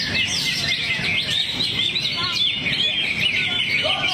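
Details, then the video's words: Greater green leafbird singing its song material while relaxed in a 'teler' posture. It gives a fast, varied run of high, sweeping whistles and chirps, with faint voices and low noise behind. "Cucak Hijau Luke H. Yogi buang materi sambil teler"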